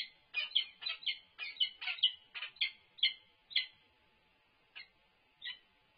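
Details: Peregrine falcon at its UC Berkeley campus nest during a food delivery; rapid run of sharp, grating calls that slows, spaces out and fades to a few isolated notes near the end.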